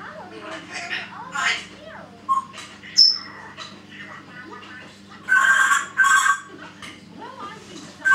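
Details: Captive pet African grey parrot talking indoors: a run of mimicked speech-like words in short bursts, a brief high whistled note near the third second, then louder, harsher phrases around five to six seconds over a steady low room hum.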